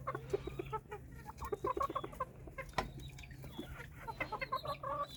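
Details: White Silkie chickens kept at a bird farm in Punjab, Pakistan, giving quick uneven runs of short clucks, several bursts close together then brief pauses, over a steady low hum.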